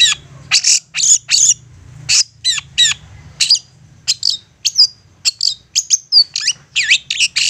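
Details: Provoking song of an insistent long-tailed shrike, used to make other shrikes respond: loud harsh scratchy bursts alternating with sharp high chirps and a few short slurred whistles, irregularly spaced about once per second.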